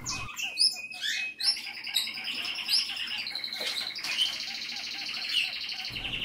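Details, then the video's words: Female kakariki courting her owner with a busy run of high, rapid chirps and squeaky notes over a steady twittering trill; such courtship can include bowing, slight wing-spreading and soft chirping sounds. "Kakariki's Courtship Behavior Towards Her Owner"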